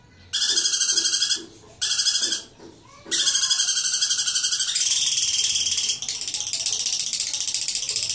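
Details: Ngekek long chatter from a lovebird. Fast, buzzy, high-pitched trills come in two short bursts, then run on unbroken for about five seconds, shifting slightly higher in tone toward the end.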